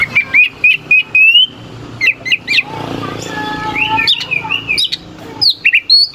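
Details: Oriental magpie-robin singing short sharp whistled phrases in quick bursts, used to provoke rival birds into singing, with a low background rumble between phrases.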